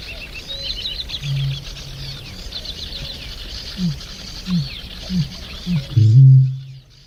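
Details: Eurasian bittern (Botaurus stellaris), boom.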